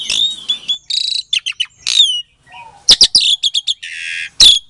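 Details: Captive-bred Asian pied starling from Klaten, Indonesia, singing a lure song meant to provoke silent starlings into answering: a loud, varied run of sharp whistles, harsh buzzy bursts and clipped notes with brief pauses, plus a low murmur near the middle.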